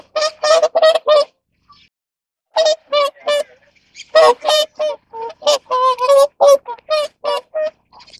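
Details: Whooper swan honking while mating: a quick group of four brassy notes, a pause, then a long irregular run of trumpeting calls, some paired in overlapping duet-like exchanges.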